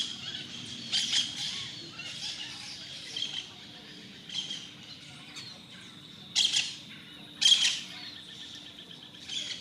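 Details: Hispaniolan (Dominican) parrots feeding in a flock in fruit trees in the morning, squabbling over branch space, give harsh, raucous squawks in irregular bursts, about one a second at the peaks, over a steady low hum.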